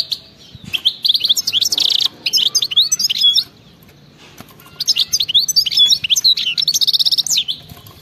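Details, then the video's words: Wild goldfinch song, 'betbeta' style, offered to spur silent goldfinches into singing: two long bursts of quick, high chattering twitters and rattling trills with a clear gap between them. "أطلع لي اي حسون ما يغنيش وسمعو هذا التغريد 😱😠 راح يغني بدون مقدمات بتبتة جنونية وغناء خلوي خرافي"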